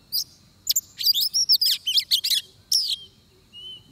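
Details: Oriental magpie-robin singing during trapping. It gives a lone chip, then a dense burst of piercing whistles and twittering slurred notes in quick succession. A thin rising whistle follows a short pause.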